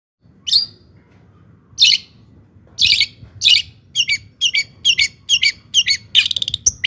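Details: Long-tailed shrike song in lively gacor style, used as a lure to rouse other shrikes into excited singing: sharp, scratchy high notes spaced apart at first, then quickening into rapid clipped chips near the end.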